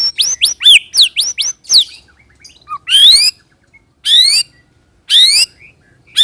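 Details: White-rumped shama (murai batu) lure song in 'roll tembak' style: quick upward whistled sweeps run together, then loud harsh rising bursts spaced about a second apart with quiet between.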